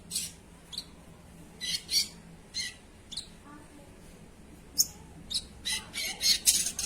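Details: Sogon in lively voice giving scattered short, dry, harsh bursts, some paired, spaced irregularly and growing denser toward the end, over a quiet background hum.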